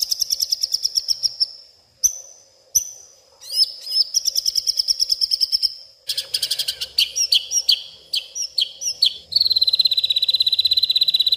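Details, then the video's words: Agitated white-rumped shama in full night song, pouring out imitated garden sounds: rapid rattling series of high notes, thin whistles, dense chattering bursts, then a fast shrill trill at the close; faint low hum beneath. "malam hari malah koar koar,,,murai batu ngamuk isian se kebon keluar"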